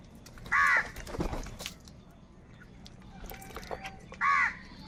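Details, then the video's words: Two loud, coarse caws from crows in a big crowd fighting for food, spaced nearly four seconds apart, with quieter clicks and scattered background calls in between. "Kaka sound and noises of Crow birds | Huge numbers of Crows Crowing and Crying sounds"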